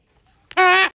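A gang-gang cockatoo gives one loud, harsh, nasal honk lasting about a third of a second, rich in buzzy overtones, after a moment of faint background noise.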